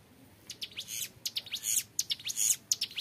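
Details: Young hill prinia delivering clear ngebren song, used for tutoring: after a quiet half-second, sharp high rising notes and buzzy bursts follow in quick, uneven succession.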